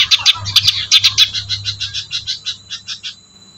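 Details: Long-tailed shrike, known locally as cendet, in a calm village setting: a fast series of harsh, scratchy high chattering notes repeated about three or four per second, slowing and fading toward the end, with a low hum underneath.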